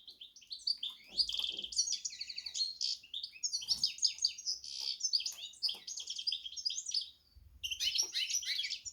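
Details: Hybrid of goldfinch and canary delivering a long, fast, jangling warble of high chirps and trills, pausing briefly before a final burst.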